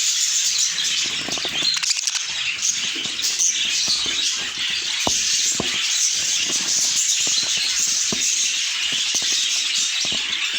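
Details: Unbroken budgerigar chatter, with high twittering and warbles layered thickly over scattered taps and rustles, holding an even loudness throughout.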